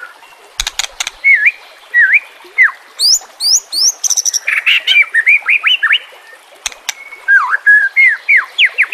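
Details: White-rumped shama training song: sharp clicks, hooked whistles, high rising notes in a quick triplet, then dense chattering warbles and sweeping slurs.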